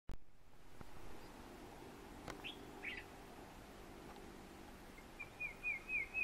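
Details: An Olive Bushshrike singing at Rondevlei, Wilderness, South Africa, in September, one of two birds seen along a path, gives a few scattered short notes, then a quick run of about five bright, evenly spaced whistled notes, over a low background rumble.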